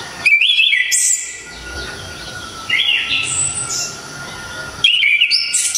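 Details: Orange-headed thrush with a strong, sharp, clear song suited to tutoring songbirds; three separated whistled phrases, each mixing fluty mid notes with brief high squeaky flourishes, spaced by short quieter gaps.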